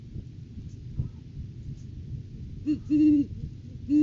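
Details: Courting-season great horned owl at the nest tree on a live camera, 9 January 2023: low rumble, then a brief pickup note and two deep hoots closing the recording.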